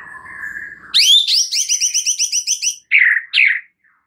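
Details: Lure recording of white-rumped shama song meant to make a shama sing its full repertoire: a steady whistled tone, then a fast run of repeated bright high notes ending in two harsher rasping phrases.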